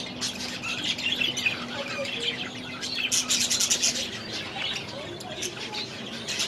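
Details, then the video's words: Aviary budgies warble and squawk in a constant overlapping chorus, with louder bursts of rapid chirps around the middle and a faint low steady hum underneath. "6 Hours of Budgies in their Aviary"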